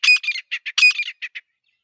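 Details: A female grey francolin, with a male standing beside her, gives two harsh, squawking phrases, each a loud grating note followed by three or four quick, clipped notes. Otherwise quiet.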